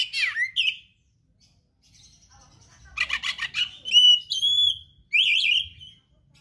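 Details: Oriental magpie-robin in lively song packed with rare fill-in phrases: a swooping whistle, then a loud burst of harsh rattling notes, sharp clear whistles and a wavering high phrase, with short pauses between.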